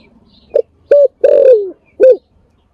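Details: Spotted dove decoy call: a soft opening note, a clear coo, a long coo sliding down in pitch, then a short closing coo, all low and mellow.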